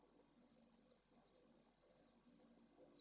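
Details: Pallid swift nest 2 at Esclavas de Jerez, Jerez de la Frontera, where two second-clutch chicks have just hatched during high temperatures, filmed by a live camera: a quick series of thin, very high chirping notes, some trilled, over a faint low hum.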